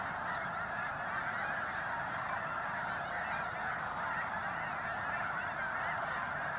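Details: Snow geese in huge numbers fly in before daybreak at Bosque del Apache near San Antonio, New Mexico, to join the overnight resting flock. A dense, even chorus of overlapping honking calls lasts from start to finish.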